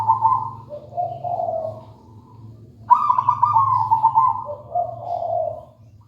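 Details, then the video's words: Local wild zebra dove (perkutut) singing, two cooing phrases: a purring trill that steps from a higher to a lower pitch, the second phrase starting loud and sudden near the middle; a low steady hum runs beneath. "Suara merdu perkutut lokal alam gacor"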